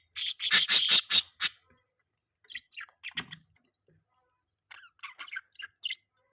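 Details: A pet budgie opens with a run of loud, harsh squawking notes, then falls to soft, scattered little chirps after a pause.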